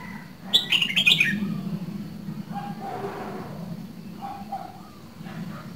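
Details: Caged red-whiskered bulbul, two seasons old, from Dak Lak, sings a single bright phrase of rapid clear whistles early on, then fainter low warbles trail off over a steady low hum.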